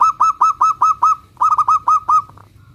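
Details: Local Zebra dove singing to prompt others to answer: two rapid runs of about six loud hooked notes each, evenly spaced, trailing off into quiet.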